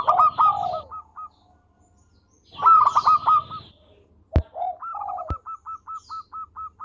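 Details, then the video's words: Singing local zebra dove recorded for training other birds: two loud, rough coo-and-trill phrases, two sharp clicks, then soft low coos leading into a neat string of quick identical staccato notes; steady low hum throughout. "Perkutut Lokal Gacor Suara Merdu"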